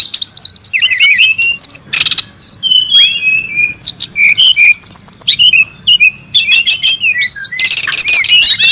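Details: Noisy wild brown-chested jungle flycatcher pouring out a continuous high warble of whistles, trills and sharp slurred chirps with almost no pauses.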